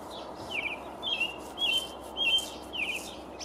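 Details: A male American robin singing hard from the top of a pine tree on 6 May 2019, seemingly advertising territory: a run of short, clear caroling phrases, about two per second, over steady hiss.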